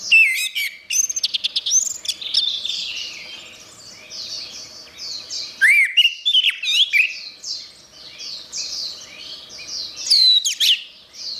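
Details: Master song of an orange-headed thrush for training songbirds: high rapid twittering runs mixed with clear whistled swoops near six and ten seconds, continuous busy chatter filling the gaps.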